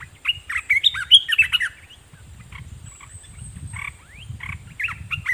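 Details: Caged red-whiskered bulbul decoy singing at wild birds: a rapid burst of warbled, bubbling whistled phrases in the first two seconds, then scattered short chirps and a rising slurred note over low rumbling background noise.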